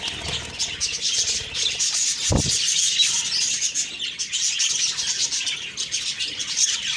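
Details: Budgies chirping on an October morning: constant high twittering chatter from many birds, with a single dull knock partway through.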